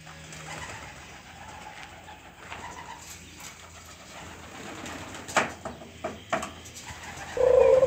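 A dove gives soft, low, hollow coos, the last one louder and steadier, over quiet background noise with a few sharp knocks.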